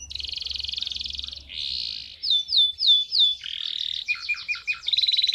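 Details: Male canary in full song to teach young birds and excite hens: a long buzzy trill, rising whistled notes repeated four times, then quick lower chips and another rapid trill.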